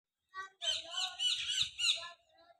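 A parrot gives a loud, harsh chattering squawk for about two seconds, with rasping bursts and a few clearer tonal notes at the start and end.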